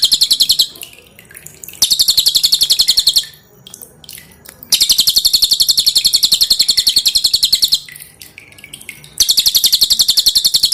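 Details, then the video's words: Three long bursts of hard, rapid, high-pitched chattering from a pin-striped tit-babbler, a song meant for teaching cage birds, with clear water drips between bursts. "SUARA BURUNG CILILIN"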